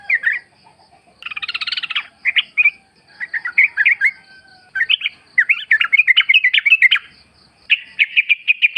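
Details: Sooty-headed bulbul singing in a wild forest setting, used as a lure to get captive birds calling back. A dense burst of buzzy notes is followed by bright, bubbly, rising-and-falling chirps repeated in quick runs.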